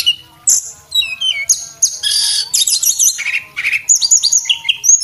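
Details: A male Javan whistling thrush sings to tutor cage birds, giving high, quick phrases of slurred whistles, buzzy bursts and descending chirps, with short gaps between them and a soft background hum.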